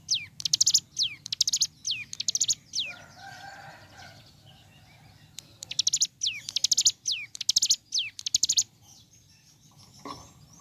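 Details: Ciblek gunung pouring out morning song: repeated phrases of a falling whistle followed by dense, high buzzing rattles, about once per second, with a short quieter gap of soft background sound mid-way.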